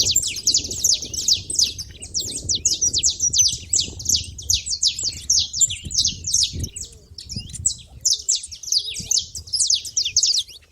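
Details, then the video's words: Busy high chirping from saffron finch at a feeder, short sharp notes packed closely for the whole stretch, with a quiet low hum in the background. "canário da terra fazendo barulho na seva"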